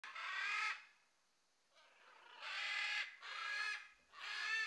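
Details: Juvenile great green macaws in a pre-release flock, foraging together at mealtime, give four loud, harsh, grating squawks, each under a second long, with a short pause after the first and the rest close together.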